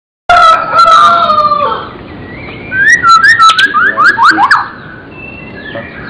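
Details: Magpie-robin singing gacor isian style: a loud drawn-out whistle with rich overtones for over a second, then a quick run of short rising slurred notes and sharp ticks.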